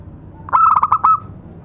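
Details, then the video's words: One phrase of lure song from a local zebra dove: a quick run of about six clipped, bubbling coo notes on a level pitch, ending in a brief drawn-out tone, with a low hum behind. "Suara pancingan burung perkutut lokal"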